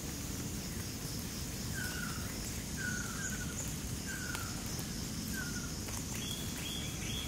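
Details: Ruddy kingfisher calling in Johor Bahru, Malaysia, June 2022, recorded on a Sony a9 camera: short descending whistled notes about once a second, with a higher repeated chirping bird near the end over steady background hiss.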